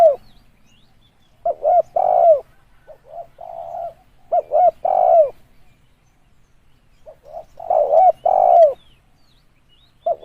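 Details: Spotted dove calling as a lure: hoarse, mellow phrases of short coos that build to a longer sagging coo. The phrases are separated by a long quiet pause midway.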